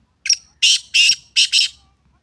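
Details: Black francolin calling: a short thin note followed by three loud, harsh, buzzy notes in quick succession, each grating and broadband, with silence around them.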